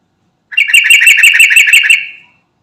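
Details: Sooty-headed bulbul of the 'garuda' type, calling to companions: a fast chattering trill of about ten bright, buzzy notes over roughly one and a half seconds, then fading out into silence.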